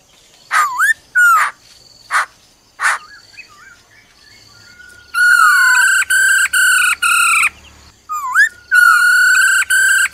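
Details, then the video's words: Female laughingthrush giving her "ro ro" call to rouse a male: loud, rich whistled notes, some sliding down or looping, then a burst of several even, harmonic notes in quick succession. The recording is clean. "Khướu mái ro ro kích trống nhanh căng lửa"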